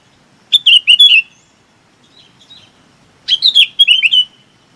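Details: Chinese babax calling to gather its flock: two bursts of bright, chattering notes with quick downslurred whistles, the first near the start and the second after a short quiet gap, with faint softer notes between.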